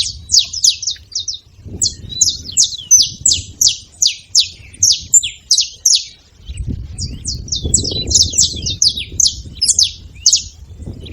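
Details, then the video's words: Wild saffron finches making noise: high, sharp chirps in a steady rhythm, about two per second, then denser overlapping notes as low rustling noise rises. "Canarinhos da terra livre na seva fazendo barulho"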